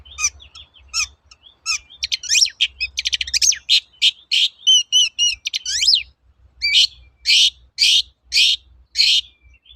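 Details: Long-tailed shrike training lure song in the energetic 'toet-toet' style: fast varied chirps and rapid stuttering notes, then regular loud harsh notes roughly every half second, with faint low hum.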